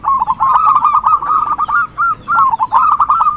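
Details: Zebra dove lure call for trapping, with quick trilled cooing notes strung together in short runs and brief pauses.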